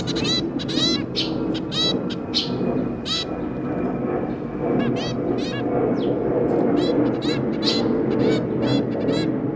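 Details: Zebra finch family, a pair with their three babies, recorded 23 January 2022: a busy run of short nasal, honking notes, about one a second, layered over steady low background hum.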